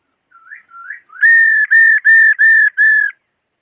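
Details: Two quiet rising slurs from a female laughingthrush build into five strong, level whistled notes in a fast regular series. This is the 'ro' call given to stimulate males.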